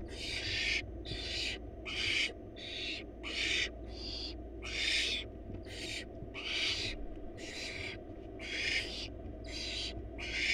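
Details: Wild barn owl chicks, four of them, in a monitored nest box while their mother feeds them a large rabbit: harsh broadband hissing screeches, about a dozen in ten seconds, overlapping at times, over a steady low hum.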